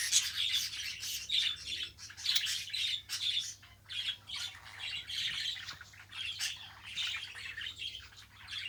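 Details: Domestic budgerigar chattering steadily, a stream of buzzy, scratchy squeaks and chirps in rapid bursts with barely any gaps, over a faint low hum.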